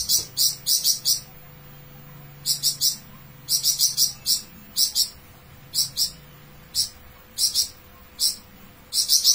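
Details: A Flamboyan bird delivering long "besetan" phrases, its extremely high, sharp notes bunched into quick bursts of two to four, spaced irregularly over several seconds.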